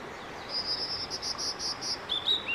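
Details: Male blue-and-white flycatcher in full song on 5 May 2022, singing for about fifteen minutes: a run of six rapid, high pulsed notes followed by clear whistles slurring downward, set against a steady hiss of ambient noise.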